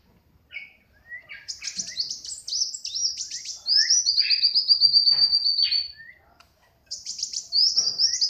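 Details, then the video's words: High, busy song from a hand-raised tame Brown-throated sunbird: scattered sharp chirps build into long rapid high trills, a pause, then the trilling resumes. "Kolibri Wulung Jinak Gacor"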